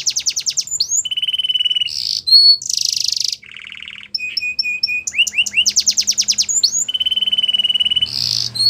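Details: Varied canary training song: fast clicking trills, steady piercing whistles, a lower buzzy burst, short repeated chips and quick upward sweeps, strung together without pause.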